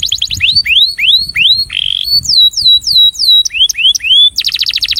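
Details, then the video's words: Breeding male canary sings its attraction song with loud rising and falling whistled sweeps, a short buzzy note, clear descending slurs, and a closing rapid pulsed trill. "Canário Reprodutor - Som de Atração"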